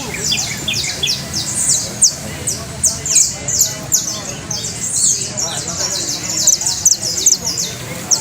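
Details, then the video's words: Trilling canary delivers dense runs of high downsweeping notes, shifting speed and pitch across the phrase, over a soft background rumble. "trino de canario"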